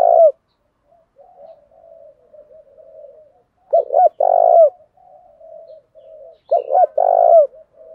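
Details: Spotted dove used as a decoy to spur wild birds into cooing and fighting. Low, hollow coo phrases, each two short stuttered notes then a drawn-out mellow coo, recurring roughly every three seconds over faint soft murmurs.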